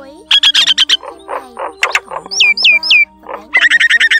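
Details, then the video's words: Common myna, wild field type, with a flock-gathering call voice used as a trapping lure; rapid harsh bursts, then three loud downward-swooping whistles and a fast stuttering series, with faint steady tones underneath. "Tiếng Bẫy Chim Sáo Nâu Bằng Lưới Và Keo Dính - Tiếng Sáo Rừng , Đồng"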